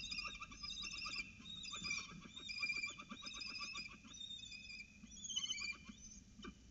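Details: Peregrine falcons mating on a ledge, 20 August 2018: rapid series of harsh, harmonic chittering notes, several bursts in quick succession with brief pauses between them.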